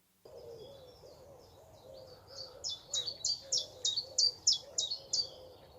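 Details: A migrant common chiffchaff, which stays through the summer, sings in York: a steady run of about a dozen bright, high notes alternating in pitch, roughly three or four a second, over a low background hum.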